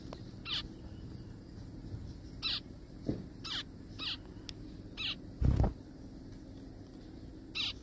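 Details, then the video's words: Zebra finch in a forest giving short nasal, broadband calls spaced about a second apart, with a few low thumps and a louder low knock near the end. "zebra finches sounds"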